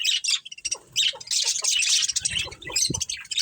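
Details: Budgerigar colony with a breeding pair, dense high chattering and squawky chirps almost without pause, with a few lower clucking notes near the end.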